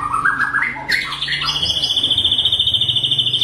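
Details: Forest-dwelling white-rumped shama at Bahorok: a climbing series of whistled notes, then a long, even, rapid trill sustained at high pitch.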